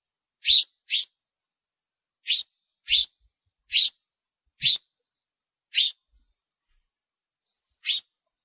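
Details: Single loud house sparrow chirps, clean and sharp, given one or two at a time with gaps of up to two seconds, in silence.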